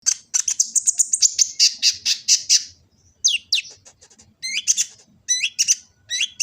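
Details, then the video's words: Sunbird, known locally as kolibri ninja, singing a full, varied song from Gresik, East Java, recorded on an Android phone for training other birds: rapid high thin chirps, a fast trill run, then sharp downslurred whistles. "Kicau burung kolibri ninja full isian"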